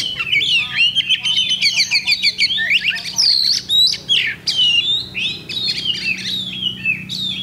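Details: Oriental magpie-robin, a contest bird recorded on Thursday, 8 October 2020, pouring out loud, fast, varied song of whistled slurs, sharp chips and buzzy notes in quick bursts, over a steady low hum.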